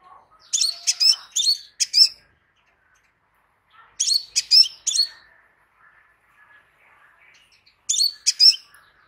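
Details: Crimson sunbird singing: three high-pitched bursts of sharp, rapid chirping and twittering notes, each lasting about a second and a half and coming roughly every four seconds, with faint soft notes between bursts.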